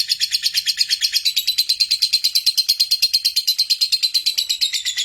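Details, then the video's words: Lovebird in full song, recorded as a lure for other lovebirds: a continuous, fast, rattling trill of shrill notes, about three per second, that holds steady for the whole stretch. "Lovebird Gacor Pancinagan Suara Lovebird Agar Cepat Gacor Kicau LOVEBIRD"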